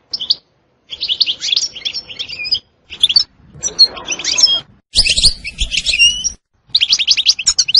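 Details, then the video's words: European goldfinch singing in choppy bursts of bright twitters and trills with short gaps, some low rumbling noise under the later phrases. "تغريد حسون روعة ستستة وبتبتة خرافية محفزة جدا goldfinch jilguero chardonneret"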